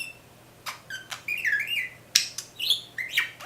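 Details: Little caged bird imitating R2D2 indoors, giving sharp clicks and short whistled bleeps, wavering warbled whistles and a sudden snapping click among descending chirps.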